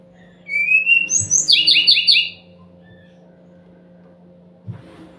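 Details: Lure song of the Sumatran laughingthrush, played so that silent birds reply: a rising whistled note, then a quick run of about six buzzy, repeated chattering notes over under two seconds, followed by quiet hum and a soft knock.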